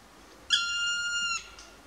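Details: Black woodpecker calling: one drawn-out, steady, plaintive note lasting under a second, rich in overtones and held at an even pitch before dropping slightly at the end, against a quiet background.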